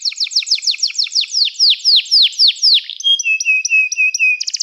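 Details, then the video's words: Canary song of quick repeated down-slurred notes that slow into longer swooping ones, followed by alternating high and lower clear whistles and a final rapid flourish. "encantador som de canário"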